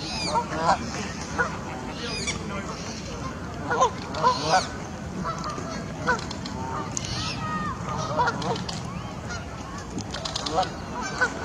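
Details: A flock of migrating Bar-headed geese in Pakistan calls continuously, with overlapping nasal honks rising and falling at an uneven pace over a low background rumble.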